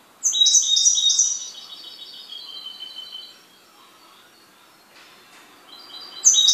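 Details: A caged goldfinch opens with a loud, ringing twitter of high, clipped notes that trail into long thin whistles and fade. After a quiet gap, another sharp twittering phrase begins.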